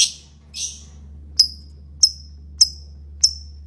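A lovebird gives two harsh, scratchy bursts, then four sharp, high chirps spaced about half a second apart, over a faint low hum.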